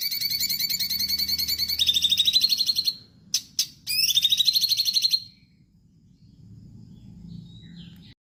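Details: Stripe-throated bulbul (cucak cungkok) singing gacor as a master for songbird training: a rapid chattering trill, a short gap with two sharp clicks, another brisk rising trill, then near silence.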